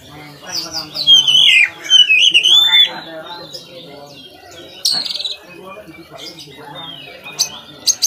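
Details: Oriental magpie-robin (kacer) song used to train other kacer birds: bold looping whistled phrases sliding up and down, then a harsh buzzy note and quieter scattered high chirps.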